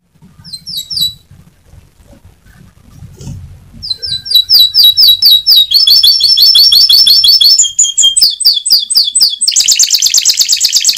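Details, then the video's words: Canary (Serinus canaria) singing a clear, constant lure song with rolling, long bursts, used to prompt young canaries to start singing; faint low rumble at first, then rapid high repeated notes and trills ending in a dense, buzzy trill. "Pancingan kenari gacor bikin paud cepat bunyi gacor ngeroll nembak panjang idaman! jernih"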